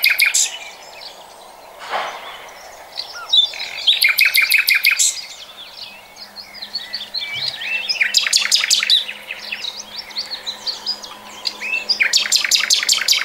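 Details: Common nightingale in 2020 delivering several separate bursts of loud, harsh, rapidly repeated notes, spaced with pauses filled by varied chirps and twitters from a busy bird chorus, plus a faint steady low hum.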